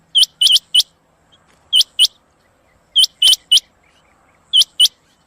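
A female rain quail gives sharp, high, metallic chirps in quick bursts of two to four notes, with short pauses between bursts, against a quiet background.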